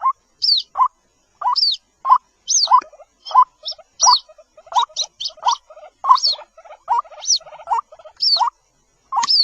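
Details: Young White-breasted waterhen, known as jal murgi, peeping in short bursts. Bright upward-sliding squeaks alternate with small clusters of faster, softer chittering notes, separated by brief silent gaps.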